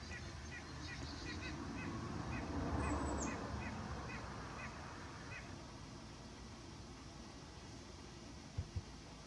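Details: White-breasted nuthatch song: a fast, even series of about eleven short nasal notes over roughly five seconds. A broad roaring background swells midway, and two sharp knocks sound near the end.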